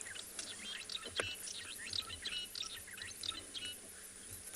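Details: Several fork-tailed drongos (Dicrurus adsimilis) chatter together at a morning gathering in Tswalu Kalahari Reserve, South Africa, 29 September, sunrise: quick, high, metallic chirps and twangs overlapping in a busy run, faint murmur of voices beneath.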